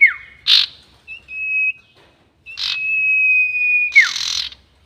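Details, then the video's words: Sirtu bird whistling, a lure sound for trapping birds: a falling slur, then level sustained whistles broken by short hissy bursts, ending in another downward-sliding note. "SIRTU NYIUL PANJANG ..... ‼️ Cocok Untuk Pikat || Suara Pancingan Sirtu"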